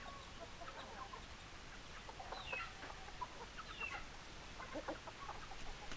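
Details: Chickens clucking in short scattered bursts, with a couple of brief rising squeaks between softer clucks and a constant hissy background.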